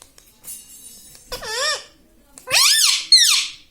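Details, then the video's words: Pet parrot said to speak "mummy papa": a softer arched syllable, a pause, then two loud, bending, harmonic speech-like calls in quick succession. "Parrot talking mummy papa"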